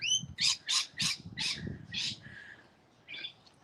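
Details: Rainbow lorikeets heard during an outdoor walking tour: a rapid run of harsh, noisy squawks roughly every quarter second, opening with a couple of thin whistled notes, then fading into a few quieter squawks, over a low background rumble.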